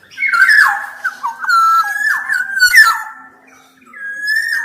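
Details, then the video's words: Black-naped oriole delivering a long, smooth whistled phrase of gliding, stepped notes with a rough burst in the middle, then a quiet pause and a final clear rising whistle. "Kicau Suara Kepodang Emas Gacor"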